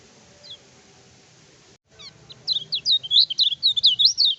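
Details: Lemon-bellied white-eye song used to provoke rivals in training, naturally lively without doping. After a near-silent opening with a few faint chirps, a loud burst of rapid, high, looping whistles runs continuously for two seconds.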